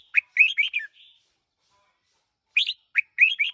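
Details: Red-whiskered bulbul, a one-year-old decoy bird, sings two bursts of bright, warbled notes rising and falling, separated by about a second and a half of silence; no other sounds.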